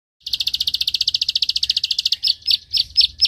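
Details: Rice-field prinia (prenjak sawah) calling hard while fighting a rival: a fast run of about 25 dry, high clicks, then six louder, spaced clicks at the end.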